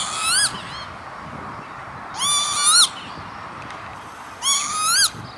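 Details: Northern lapwing on an industrial estate near Veenendaal, the Netherlands, 28 May 2013: three wheezy, rising-then-falling nasal calls, each about half a second long, spaced roughly two seconds apart over a quiet background.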